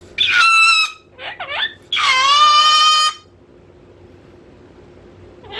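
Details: Pet cockatoo getting bored and turning loud: two long, harsh, ringing screams, the second stretched past a second, with a short broken squawk between them and quiet afterwards.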